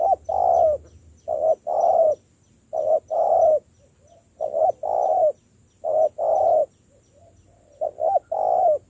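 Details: Persistent cooing by a spotted dove being trained into a decoy: six mellow phrases in nine seconds, each clipped opening notes then a sustained deep coo, steady and rhythmic.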